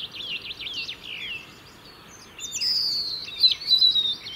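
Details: European robin song from the UK, territorial in winter: a wavering zigzag warble first, a pause, then a long high drawn whistle with sliding notes and quick flourishes.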